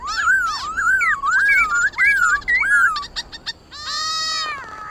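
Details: White-cheeked laughingthrush, wild-style song used for training captive birds: bouncy looping whistles in quick succession, clicking notes, then a long rasping, harmonic-rich note to close.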